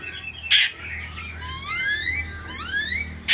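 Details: Black-throated laughingthrush singing in captivity while spreading its wings and tail; loud, rich whistles sweep upward in two long rising phrases, framed by brief clattering noises.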